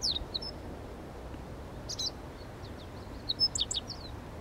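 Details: Meadow bunting, possibly a young not-yet-adult bird with weak singing, uttering scattered high thin chirps: a note at the start, a pair near two seconds, then a quicker cluster of sharp downslurred notes toward the end, over low background noise.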